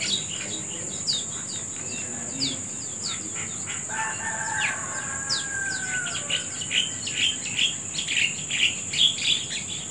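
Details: Birds in the morning, with many quick high chirps and clicks from several callers. A long drawn-out crow sounds faintly in the middle, and the chirping grows denser toward the end, all over a steady insect whine.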